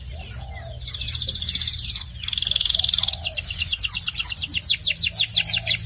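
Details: Belgian canary training song: two dense buzzy trills broken by a short pause, then a steady series of rapid downslurred whistled notes, with faint lower chirps in the background.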